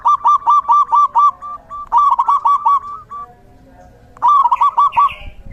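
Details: Rainy-season song of a zebra dove: bursts of quick, bouncing, hooked coos repeated in rolling phrases, with quieter level notes between the loud runs and a short pause before the final burst.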